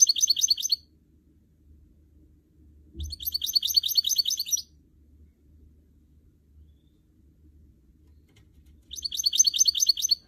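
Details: Caged goldfinch mule, a canary and goldfinch hybrid, kept indoors by a bird trainer. It sings three bursts of rapid, high twittering song, each about one to two seconds long, separated by pauses, with faint low room hum and a thump.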